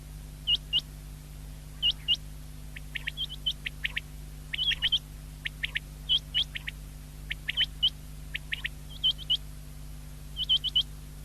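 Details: Recorded 19 February 2024, common quail (batair) chorus of crisp, high, upward-flicking whistles, often paired or tripled, many overlapping in irregular bursts over a low hum.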